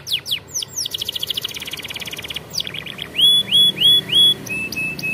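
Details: Canary singing like a champion for young canaries: quick falling sweeps, a fast buzzy pulsed trill, then a series of clear rising-falling whistled notes repeated about twice a second, ending in a steady high tone.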